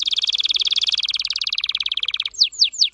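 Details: Red factor canary, vibrant orange-red, delivering a long rapid rolling trill for over two seconds, followed by three sharp descending whistled notes.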